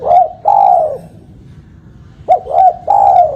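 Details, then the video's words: Lure call of a spotted dove for trapping: two mellow coo phrases, the first two drawn-out falling coos, the second a clipped note then two rounded coos, separated by a quiet pause. "Suara burung tekukur"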